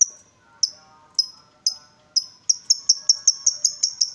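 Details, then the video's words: Excited lovebird provoked into calling, building into its long ngekek chatter: spaced single shrill, high notes at first, then quickening into a steady run of sharp repeated notes, with faint lower tones in the background. "Lovebird diam langsung Nyambar, Emosi Naik Gacor Ngetik Lanjut Ngekek"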